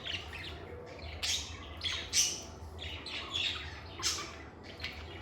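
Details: Indoor pet lovebirds give scattered shrill squawks and sweeping chirps, roughly one burst every second, with a soft low background hum.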